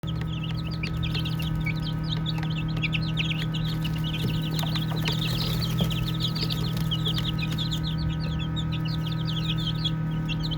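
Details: Baby chickens chirping while playing: a dense flock of high, quick, downslurred peeps overlapping continuously, several per second, over a steady low mechanical hum.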